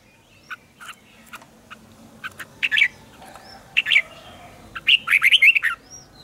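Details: Red-whiskered bulbul during morning song training, scattered sharp chirps building into short phrases of warbled whistles, ending in a lively, twisting burst of notes.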